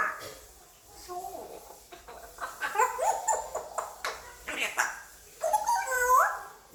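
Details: A pet male African grey parrot, five years old, practises English at home: a run of chattering syllables, clicks and rising-falling whistled notes that grows louder toward the end.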